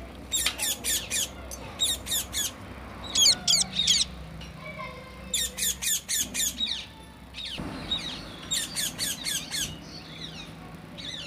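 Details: Parrot kept in a cage, eating corn; harsh, rapid squawk bursts in clusters of three to five notes, repeated in runs separated by short pauses, over a faint low hum.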